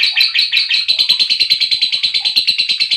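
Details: Continuous shrill lovebird chirping, used as a lure for other lovebirds: very fast, tightly packed high chirps forming a dense chattering trill.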